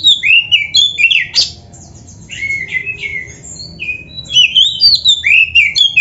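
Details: Oriental magpie-robin in energetic full song, played as a training recording to prompt caged magpie-robins to sing: loud, varied whistled and slurred phrases, rising and falling, packed in quick bursts with a quieter pause midway; faint low background hum.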